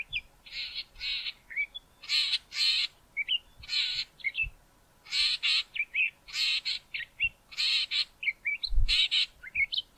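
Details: Male Southern fiscal calling on Mountain Drive near Grahamstown: loud harsh, rasping double notes repeated roughly every second, interspersed with short thin whistled notes, against faint low background noise.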